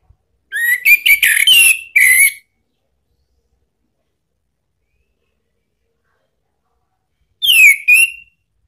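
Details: Orange-headed thrush giving a lure song to get a caged bird answering: a two-second burst of mixed whistles and clicks, a long silence, then a brief falling-then-rising whistled phrase.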